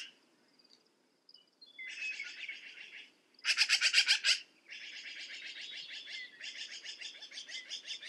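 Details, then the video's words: Harsh rattling chatter of a black-billed magpie in several runs of rapid, raspy notes, the loudest near the middle, with soft whistled chirps and faint background birds at the start. "Black billed Magpie - Bird Sound"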